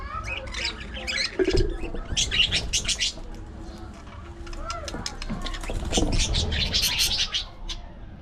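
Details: Budgerigars in an aviary colony chatter with bursts of raspy squawks and thin chirps, accompanied by low thumps and flutters, probably from wing movement, and a few brief rising notes amid the crowded calling.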